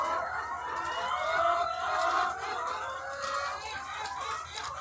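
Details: Thousands of egg-laying hens on a chicken farm; a dense, continuous chorus of overlapping clucks and drawn-out tonal calls blending into a steady hum, with no single bird standing out.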